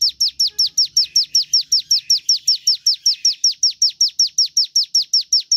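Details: Javan tesia singing a rapid, machine-regular string of piercing downslurred notes, roughly two and a half each second, loud and clear with a faint lower twitter in the first half.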